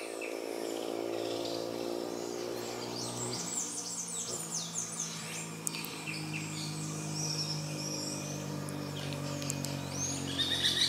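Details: Grey-breasted parakeets mating give rapid, harsh, screechy chattering calls in quick bursts, over a steady low engine-like hum.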